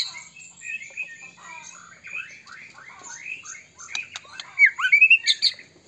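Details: White-rumped shama of the Medan type, singing with many fill notes to draw other shamas into song. A soft run of quick chattering notes builds into a loud burst of sharp, twisting whistles near the end.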